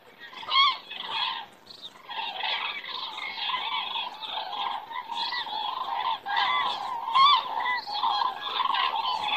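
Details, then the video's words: Common cranes flying by and circling in the sky in Estonia on a September evening around 18:00: many overlapping trumpeting, rolling calls from a flock, continuous and layered, at moderate distance. "Cranes fly by and circling in the sky"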